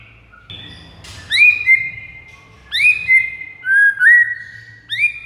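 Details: White-rumped shama song used to lure rivals. Long bright whistles rise sharply and hold steady, coming every second or so over a low background hum.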